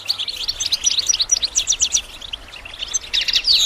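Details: Training song of a goldfinch: quick, tinkling chirps run together into a lively twitter, softening briefly, then a louder buzzy flourish at the end.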